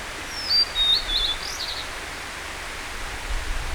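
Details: Blue-and-white flycatcher song, a short, high phrase of clear whistles that slides down, then breaks into quick warbling notes and fades. Steady broadband hiss fills the background, with faint thin chirps afterwards.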